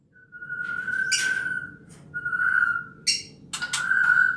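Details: White-rumped shama in the wild in Bohorok forest, giving long, pure, steady whistled notes at one mid pitch, three in about four seconds, with brief clicks between them over a low background hum.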